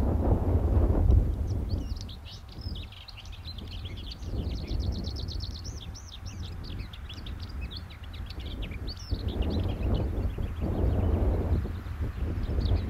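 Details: Lesser whitethroat song: a long, quick scratchy warble of high notes running into rapid, rattling repeated phrases, then fading. Constant low rumble and background noise underneath.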